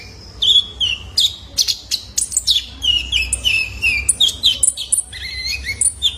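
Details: Juvenile male Van Hasselt's sunbird, used to prompt caged birds to sing: a busy stream of high twittering chirps and short slurred whistles, fairly continuous and rhythmic.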